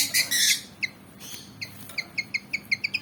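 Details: Javan fantail, black and white and about 19 cm, worked up and ready to fight: a few harsh bursts first, then evenly spaced short high chips speeding up toward the end.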